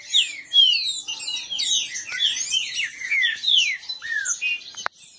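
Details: Captive green-winged saltator males in a singing dispute: rapid, overlapping whistled phrases of slurred descending notes pour out without pause, ending with a sharp click.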